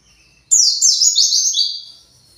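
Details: Single high, rapid phrase of stepped, falling buzzy notes from an agitated white-eye in captivity calling for its lost flock, fading at the end.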